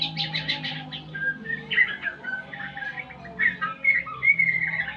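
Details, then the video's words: Murai pastol shama practising new sounds: rapid buzzy chattering notes at the start, then mixed whistles and short trills, over a steady low hum. "Murai pastol belajar Bunyi"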